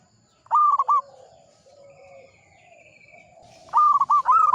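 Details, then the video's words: Frequently singing old local zebra dove. Two stuttering phrases of quick cooing notes, with a soft lower coo and a thin high whistle between them. "PERKUTUT LOKAL GACOR, MANGGUNG"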